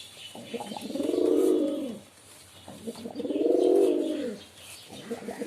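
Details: Pigeon voice in two long, mellow, bowed coos, each swelling and fading over about a second and a half.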